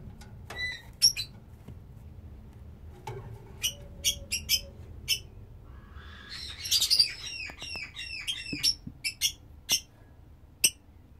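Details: Lovebird kept for breeding utters scattered sharp, high chirps, a brief dense squawking burst midway, then evenly spaced clipped notes roughly twice a second; quiet background with a low hum.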